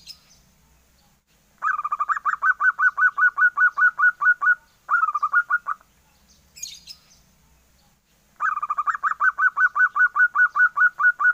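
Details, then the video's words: Young zebra dove calling in three bursts of quick repeated notes, each a short down-slurred piping note, said to sound like a duckling; a brief scratchy noise falls between the second and third bursts. "SUARA PERKUTUT MUDA, ombyokan ini bikin kaget, berasa suara meri"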